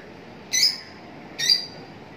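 A lovebird gives two shrill, harsh screeches about a second apart, each a brief burst with a piercing high edge.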